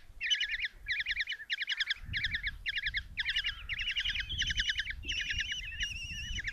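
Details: Common kestrel chicks, five of them, in a Hungarian nest box at Tiszalök on June 27, 2024 as the mother delivers a mouse; regular bursts of buzzy trilled chittering roughly every half second, later merging into longer wavering cries, with scuffling.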